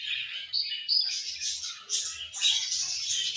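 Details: Colorful budgies chirp continuously, a thick layer of high warbling chatter broken by sharp squeaky notes, with faint low thumps underneath.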